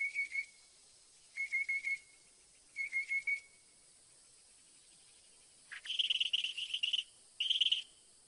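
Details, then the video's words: Northern mockingbird (Mimus polyglottos) song: three bouts of quick, level whistled notes, each set about a second long, followed by a dense buzzy rattle and a shorter repeat of it. "SINSONTE O CENZONTLE CANTANDO"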